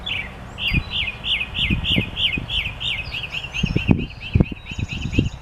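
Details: Songbird repeating short, quick chirped notes at an even pace, about four or five per second, then shifting to a second, slightly different run of chirps; low thuds and rumble in the background.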